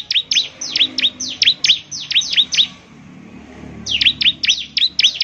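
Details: A bar-winged prinia sings eagerly, a song said to make other prinias respond. Bright, sharply descending then rising chips are repeated rapidly in two phrases, with a gap of about a second of quiet.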